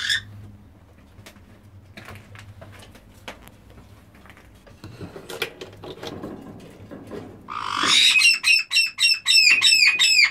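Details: Indoor recording of black-headed caiques: scattered clicks and rustles with a low hum, then a harsh screech breaking into a fast series of shrill, repeated arched notes at the end.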